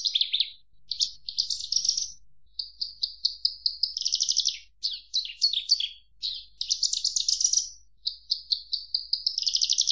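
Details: Branjangan, the Javan bush lark, singing a continuous varied song of rapid chirps, buzzy trills and quick repeated note series, high-pitched and nearly unbroken across ten seconds, with no other sounds.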